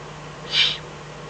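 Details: Eurasian eagle-owl in the Eifel, recorded at night on 24 May 2014 between 03:40 and 04:18 as a fox is brought as food; a single short, raspy hiss, loud and breathy against a steady low hum.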